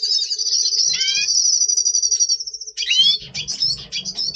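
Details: A double-pastel red siskin in breeding mood before breeding, November 2023, sings a long, high, rapid twittering trill, then breaks into a jumble of quick squeaky notes and buzzy chatter.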